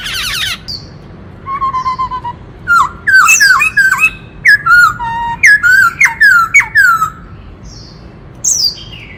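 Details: White-cheeked laughingthrush singing with many voices in kích trống style, meant to rouse males: a burst of chips, soft falling whistles, then a quick string of sharp slurred notes that rise and fall, ending in a high note.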